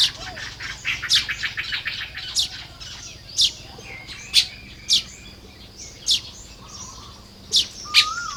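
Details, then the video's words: Baya weavers building nests on a morning of 1 May 2026 in Lopburi, Thailand: a rapid run of high chirps in the first two seconds, then sharp, loud chips spaced about a second apart, with faint whistles from other birds. "เสียงนกกระจาบทำรัง ยามเช้า"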